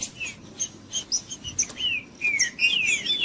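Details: Trinca-ferro kept in captivity gives a few scattered high notes, then a burst of quick descending and rising whistled slurs toward the end.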